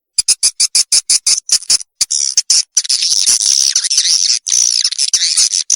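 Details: Call used in 2021 to attract young swiftlets into a new nesting building: a quick run of sharp, evenly spaced clicks, then a continuous high, wavering twitter with rapid warbling notes.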